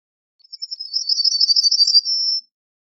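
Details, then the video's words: Yellowhammer singing one phrase: a quick run of short, high, buzzy repeated notes that speeds up and runs into a drawn-out sustained note at the end, in a quiet setting. "Yellowhammer Song! Yellowhammer Call! Yellowhammer - Escribano Cerillo Canto - Emberiza Citrinella"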